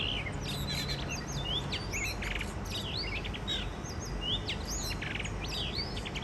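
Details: Wild blue rock thrushes, a mated pair, visiting a balcony in Shonan, Japan, in spring, recorded at the year's first singing. Rich whistled phrases tumble and overlap, rising and falling notes repeated through the stretch over steady low background rumble.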